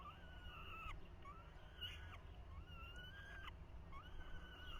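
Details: Falcon nestlings in 2023 crowding the male as he attempts to feed them. Repeated thin, wavering whines about a second each come in quick succession, separated by brief clicks, over constant low background hum.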